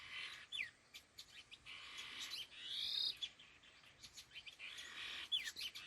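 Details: Two laughingthrushes (khứu lùn), a pair, give harsh, buzzy, high-pitched bursts with a few thin rising whistles, loosely spaced about twenty-five times a minute, among ticking clicks.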